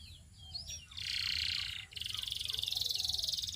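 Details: Belgian canary singing among other canaries, giving a few thin rising whistles, then a steady buzzy trill followed by a fast, evenly pulsed high trill; quiet background hiss.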